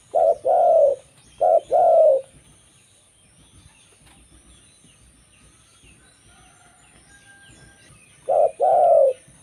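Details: Local zebra dove song for luring other zebra doves. Two short-long coo couplets open the passage, then a long quiet stretch with faint distant chirps before one more couplet closes it.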